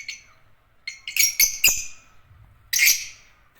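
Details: Agapornis lovebirds give a rapid run of short, squeaky, shrill chirps in quick succession, then a pause and a longer harsh chirp that trails off.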